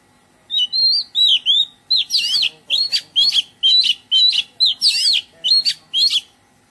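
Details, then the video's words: Oriental magpie-robin singing in a garden: a bright, melodious run of short whistled phrases, each rising and falling, given in quick succession about twice a second with brief gaps, loud and clear over a quiet background. "Oriental Magpie Robin - Melodious birdsong"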